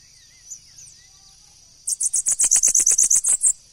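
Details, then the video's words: Singing bananaquit gives a quick run of around thirteen high, sharp, evenly spaced notes over a second and a half, after a few faint thin chirps. "Sibite Cantando."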